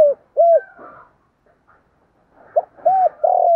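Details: Decoy spotted doves, male and female, giving urging 'thúc' and crowing coos used to lure wild doves: two short arched hollow coos, a second's pause, then three more arched coos, loud and close.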